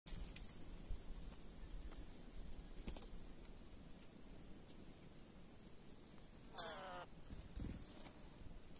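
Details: Curl-crested jay in the interior of Bahia, Brazil: one loud, harsh, harmonic-rich call bursts out briefly near the end. Faint clicks and a low background rumble are heard throughout.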